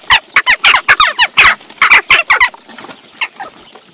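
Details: Western jackdaws, adults and young, squabbling over food at a feeder in Recke, Germany, in June; a quick run of about a dozen loud metallic chak calls over two and a half seconds, then faint notes.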